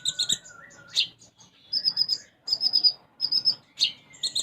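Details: Sunbird in full song, filled with sparrow-like phrases (isian gereja): sharp high chirps, groups of bright tweeted notes repeated about every half second, and a thin drawn-out whistle near the end.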